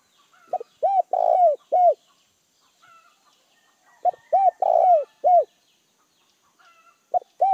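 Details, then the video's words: Decoy spotted dove calling to lure and excite wild doves: two phrases of low, hollow coos about three seconds apart, each with four notes, the third long and rough, then the start of another phrase; quiet background. "Chim cu gáy gọi hay kích bổi chuẩn chim cu gáy mồi"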